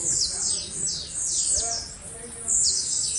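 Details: Blue-black grassquit in a frenzied, showy performance: thin, very high buzzy notes dropping in pitch, delivered in two clusters with a short lull between them, against a quiet background.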